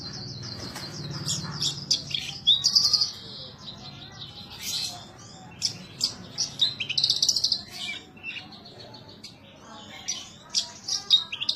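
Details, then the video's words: {'0': "Horsfield's bush lark kept as a cage bird, singing energetically (gacor): sharp high whistles, rapid trilled runs and scattered chirps in a varied, restless sequence, over soft low background hum."} "suara burung branjangan gacor"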